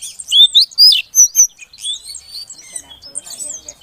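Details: Female Oriental magpie-robin (kacer betina) calling to prompt a silent male to sing; a few loud, sweeping high whistles with rising and falling slurs, followed by softer, scattered twittering notes.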